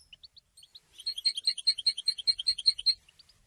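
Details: Goldfinch song used to announce presence and attract females, recorded for song training: a few scattered high chirps, then a two-second run of rapid, bright twittering notes repeated about twice per second in quick pairs, with no background noise.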